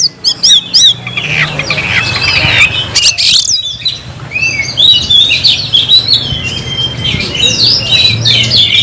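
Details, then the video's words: Oriental magpie-robin singing vigorously to call a rival to fight: a rich, varied stream of high whistled and slurred phrases with harsh chattering notes, over a steady low hum. "kicau burung Kacer gacor memanggil lawan tarung"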